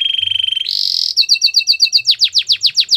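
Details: Training song of a Belgian canary for young birds: a quick rattling trill, a brief harsh buzz, then repeated sweet chirps swelling into loud downward-sweeping whistles.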